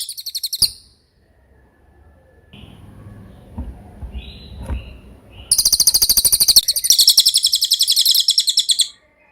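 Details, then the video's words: Cililin tutor recording for caged birds: a short high trill, then a quiet stretch with faint rustles and soft low sounds, before a long, rapid, shrill pulsed trill starts and runs for about three seconds. "MASTERAN CILILIN SUARA JERNIH"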